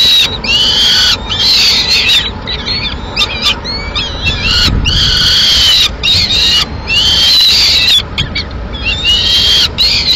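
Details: A female peregrine falcon feeds two chicks at the nest in Madrid on 21 May 2016. Almost continuous strained, harmonic whining calls bend up and down in pitch, broken by brief pauses. A low rumble runs beneath.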